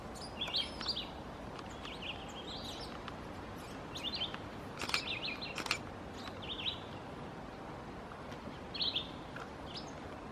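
A scarlet tanager sings short, hoarse, burry phrases, robin-like but rougher, spaced a second or two apart over steady background hiss.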